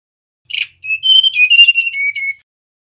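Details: Male mangrove blue flycatcher song: a short harsh note, then a smooth phrase of ringing whistles that rises slightly, then steps down to a lower sustained whistle. The background is clean.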